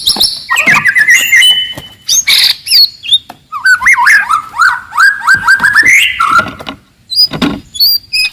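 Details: Wild white-rumped shama singing very loudly and aggressively to rouse rivals: a rich run of clear whistles, then a fast series of rising and falling slurred notes, ending in sharp high chips.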